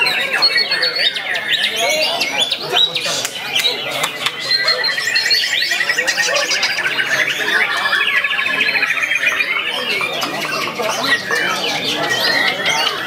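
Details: Junior white-rumped shama showing its song repertoire toward a rival and a female, with a long rapid stream of mixed chattering trills, buzzy rattles and sharp whistled phrases, plus occasional clicking knocks.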